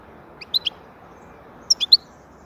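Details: European goldfinch (saka) singing two short twittering bursts about a second apart, each of three or four sharp high liquid chirps, over a hushed background.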